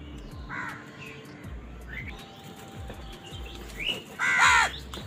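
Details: Crows quarrelling over food: a short caw early on, then near the end one loud, drawn-out, raspy caw, over a faint background hum.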